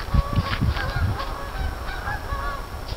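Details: Many geese busy together, giving low, harsh honks in quick bursts through the first second and a half, then quieter scattered honks over a steady low rumble.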